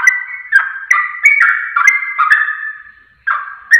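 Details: Sooty-headed bulbul lure song for drawing quick replies; lively bubbling notes in quick succession, a trailing drawn-out note with a brief pause near three seconds, then chatter starts again.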